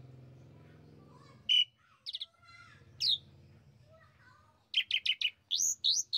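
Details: Asian pied starling (jalak suren) pancingan, a lure to excite a kept bird into singing: sparse chirps and buzzy notes after a low hum, ending in a fast string of loud repeated whistled chirps.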